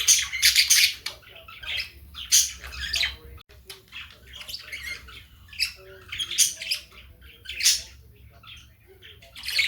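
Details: Indoor pet cockatiel chattering and singing among budgies; rough, scratchy high squawks arrive in clustered bursts separated by short pauses, with softer thin chirps between them, in a small room.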